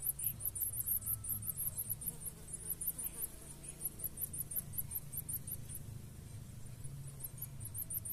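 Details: Blue-black grassquit pair tending and feeding their chicks; dense bursts of very high, thin squeaky notes, rapid at first, then spaced and repeated in short runs, over low background hum.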